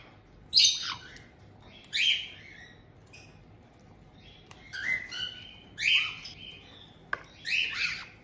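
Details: Captive white-bellied caiques in Tokachi, Hokkaido, on 18 June 2023, an older pair welcoming a juvenile of a little over two months. Spaced harsh squawks come every second or two, with a sharp click near the end.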